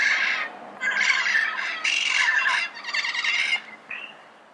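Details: Harsh, grating squawks of a red-crowned amazon at dawn in Pasadena, about four long screeching bursts, each roughly half a second or more, followed by a shorter, quieter call.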